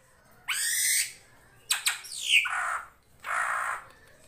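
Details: Drongo known as srigunting krantil, master song for training birds: a harsh broad rasp, then sharp clicks and a falling whistled slur, and another rasping note.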